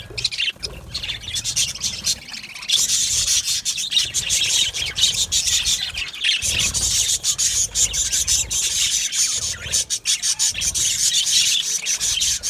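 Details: Budgies in an aviary colony chirp and twitter without pause, a thick, even blanket of high-pitched calls from many birds at once.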